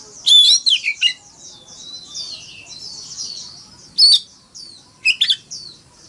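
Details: Oriental magpie-robin decoy singing a forest-voice fighting song: an opening burst of loud, ringing whistles, then a soft warbled medley, and two further sharp whistled notes.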